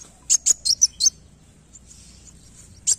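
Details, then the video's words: A sunbird calling right away: five thin, very high chirps in quick succession, then a single chirp after a short pause, against a quiet background. "kolibri wulung langsung bunyi"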